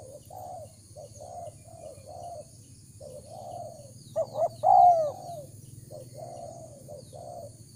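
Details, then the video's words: A spotted dove, used as a lure to attract wild doves, gives soft, hollow cooing phrases in a steady run, broken midway by a louder burst of sharper notes and a short falling whistle. "Chim cu gáy chiêu kích mồi tập bổi nhanh nổi"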